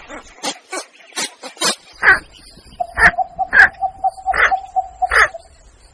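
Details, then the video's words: A Javan pond heron lure call, used for hunting, gives harsh, hoarse bark-like squawks about once a second after a run of dry scratchy rasps, with a steady low hum underneath. "suara burung blekok"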